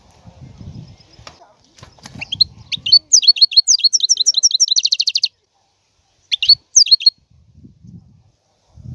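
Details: Song of a European goldfinch: faint low noise at first, then tinkling, high twittered notes leading into a quick, evenly repeated trill. After a silent gap comes a brief burst of chirps, with a soft low rumble at the end.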